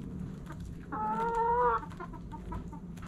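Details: Backyard hen at morning sunrise giving one drawn, slightly rising harmonic call lasting under a second, with soft clucks and clicks around it over a low hum.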